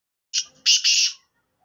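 A black francolin gives a loud, harsh, grating phrase: a short rasping note, then two longer scratchy notes, lasting about a second.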